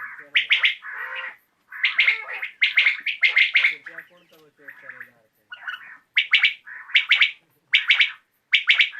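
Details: Evening recording of a common quail: rough, crisp bursts of two or three notes, repeated in quick groups, with short quieter gaps between the runs of calling.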